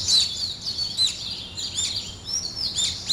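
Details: Morning birdsong in a natural setting: high, thin chirps and quick sliding whistles overlap continuously, several birds calling at once with no clear pause.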